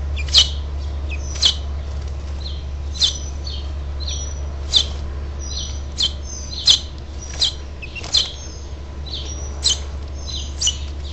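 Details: House finches at a nest on 6/12/07 as the last fledgling is urged to fly: short sharp chirps repeat about once a second, bright and high, over a steady low electrical hum.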